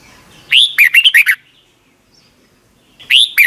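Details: Red-whiskered bulbul, caged, song played each morning for young birds to copy; one full phrase of a rising whistle and quick chirpy notes, silence, then the start of another phrase.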